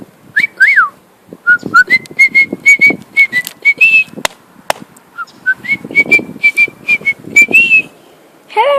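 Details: A pet cockatiel, male, whistles as it flies, giving a steady series of short flat whistles punctuated by rising slurs. Faint low murmuring and a couple of sharp clicks sit beneath.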